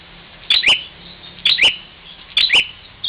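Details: Bar-winged prinia fighting its reflection in a mirror at Parigi, Ciamis, West Java: sharp paired high chips with a short downward twist, the pair repeated about every second, three times.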